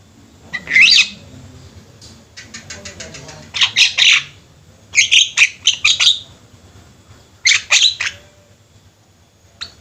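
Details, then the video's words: Javan mynas in a flock, actively singing: a rapid series of clicking ticks, then clusters of harsh, rasping squawks in bursts of three to five, with pauses between groups. "Burung jalak kebo ombyokan juga bisa gacor"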